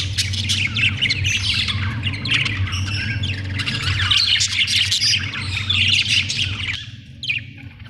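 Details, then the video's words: Busy budgerigar chatter, fast overlapping chirps and buzzy warbles repeating several times a second, over a constant low rumble that persists throughout. "Australian beautiful birds sound 😍 budgie chirping sound 🥰"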